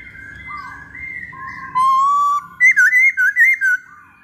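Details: Lure song of a masked laughingthrush, with smooth drawn-out whistles shifting between two pitches, then a burst of six loud, quick, looping whistled notes before a softer trailing tone.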